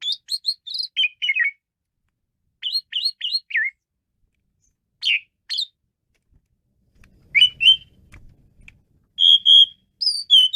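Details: Asian pied starling in energetic song: quick runs of sharp rising whistles and stuttered chirps, groups of three to four notes, pauses between phrases, with a faint low rumble near the end.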